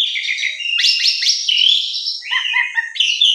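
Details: Morning lure song of an Asian pied starling for silent or stressed birds: dense scratchy chatter with sliding whistles, then lower, clipped, bubbling notes and a final high buzzy phrase.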